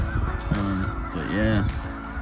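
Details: Snow Geese in January at Bosque del Apache Wildlife Refuge, where flocks gather by the thousands, give two loud, nasal honks about a second apart over a steady background murmur from a large flock.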